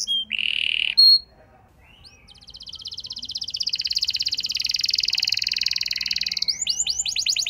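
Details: Canary singing as a lure for a reluctant bird: a brief flat whistle, a pause, then a long rapid buzzing trill that swells and ends in a few looping sweeps.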